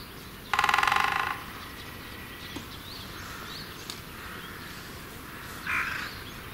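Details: Great spotted woodpecker pecking at a tree like a machine gun: one short burst of rapid, even knocks lasting under a second, then a quiet backdrop with a few faint, thin bird calls.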